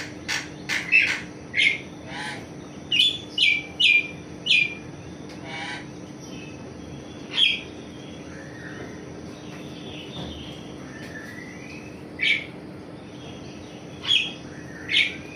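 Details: Asian pied starling during morning activity, giving scattered short chirps and whistled notes, some rising, spread over about fifteen seconds with quiet gaps, against a steady faint hum.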